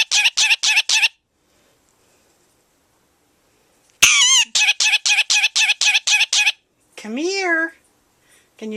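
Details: A 23-year-old male pet Indian ringnecked parakeet with a big vocabulary, giving rapid runs of harsh, evenly spaced clicking syllables, two bursts of about five and eight, then a drawn-out wavering whistle-like utterance.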